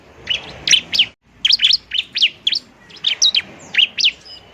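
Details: Bar-winged prinia, in fighting mode, sings to lure and stimulate lazy birds: crisp, high, separate chirps, one or two at a time, with a brief silent gap near the first second.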